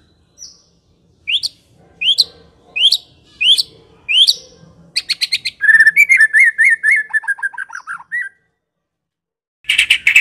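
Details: White-rumped shama from Medan in crisp lure song to provoke other shamas: five spaced upswept whistles about every 0.7 seconds, a burst of rattling notes, a fast descending twittering run, then a harsh squawk.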